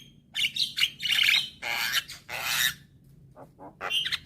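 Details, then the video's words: Young Javan myna in full, lively song: loud, harsh, rasping squawks and grating bursts, several long and noisy, then a brief pause before softer clipped notes and a final scratchy burst. "Kicauan Jalak Kebo Muda Gacor"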